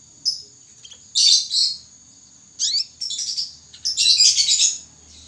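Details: Young canary learning to sing (ngriwik): scratchy, twittering high-pitched phrases in uneven bursts with a quick rising-falling sweep, over a thin steady high whine.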